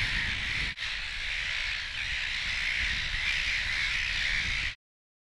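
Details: Nesting silver gulls crowd an offshore colony on Mud Islands, their harsh overlapping squawks forming a constant chorus with a few sharper calls standing out. Low wind noise sits beneath, and the sound cuts off abruptly before the end.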